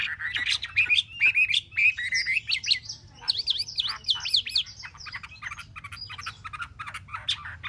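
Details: Caged Chinese hwamei, three months in captivity, sings a varied stream: quick repeated whistled slurs, then a rapid series of rising and falling zigzag notes trailing into softer chattering phrases.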